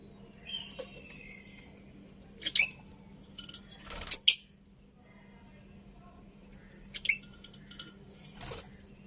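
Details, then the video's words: Budgerigars chirping indoors: a few thin harmonic chirps early on, then sharp, loud, broadband squawk-like bursts around the middle and a couple more near the end, over a steady low hum. "Cute Budgies Chirping Sounds"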